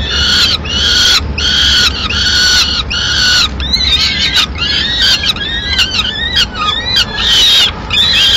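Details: Peregrine falcon at its Madrid nest when the female flies in with part of a pigeon: four loud drawn-out harsh wails, then a busier stretch of shorter, rising and falling chipping calls.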